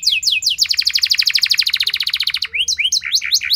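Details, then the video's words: Canary singing as a prompt for other canaries: a few falling whistles, then a long rapid rolling trill, finishing with quick varied twittering notes. "Langsung Respon Burung Kenari Kondisi Apa Saja Dengan Pancingan Kenari Nembak Panjang Keras Ini"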